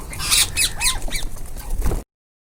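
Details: A group of rose-ringed parakeets feeding, with a rapid series of shrill, scratchy squawks and short downslurred screeches over about two seconds before the sound cuts off.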